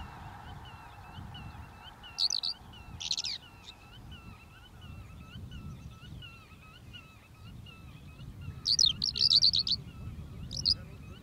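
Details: Eurasian skylark at Uitkerkse Polder, Belgium, in April 2021 giving short bursts of high, rapid, liquid chirruping warbles, with a faint repeated chirp from another bird and low wind rumble behind.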